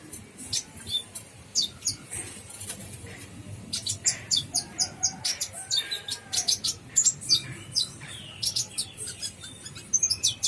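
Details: Brown-throated sunbird song: rapid series of high, thin chirps and sharp ticking notes, densest in the second half, with faint background noise.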